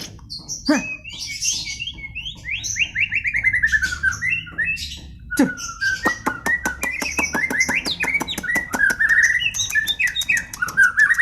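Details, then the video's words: White-rumped shama in full song at home, rich and varied: liquid whistles, descending slurred runs, fast ticking and rattling series, and high buzzy notes in a continuous medley. "Kicauan Murai Batu"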